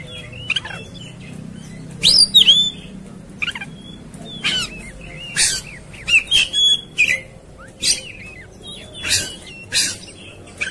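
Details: Agitated Oriental magpie-robin song used to provoke fighting rage: bursts of whistled, slurred notes mixed with sharp harsh chips, coming in quick irregular phrases about every half second to second over a low background hum.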